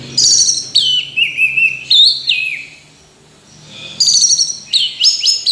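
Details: Orange-headed thrush in full voice: clear looping whistles and warbled slides, a silent gap of about two seconds, then another loud burst of high rapid notes.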